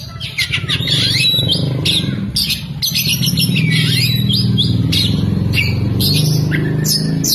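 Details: Oriental magpie-robin, tail fanned as it sings, mixing imitated lovebird phrases into fast, busy chirps and harsh squeaky notes, with sudden breaks, set against a loud steady low rumble like traffic.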